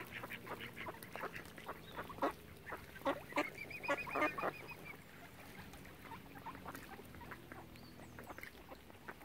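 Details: Ducks gathered around a swan family at Oxford Island on Lough Neagh, Ireland, giving scattered rasping quacks, thicker in the first half, with a brief high whistled series among them and quieter stretches afterwards.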